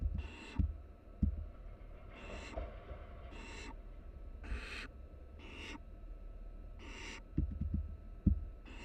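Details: Seven scratchy hissing bursts from barn owl nestlings, three chicks resting together in a nest box watched by a University of Florida live cam, spaced about a second apart, with scattered low bumps and knocks.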